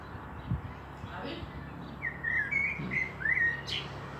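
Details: Common blackbird in Meschede on 18 May 2021, a fieldfare pair also present: a few low knocks and faint sounds first, then a clear fluting whistled phrase with warbling twists in the second half.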